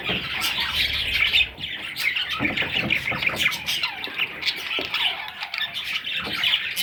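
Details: Chorus of parrot chicks: raspy squawks and sharp, high twittering notes repeated rapidly and overlapping, with a few soft low bumps in the background.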